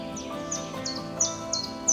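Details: Common chiffchaff singing in spring, April, in Kociewie, southern Pomerania, Poland: high, clipped notes about three times a second in an even, seesawing chiff-chaff rhythm, with soft music underneath.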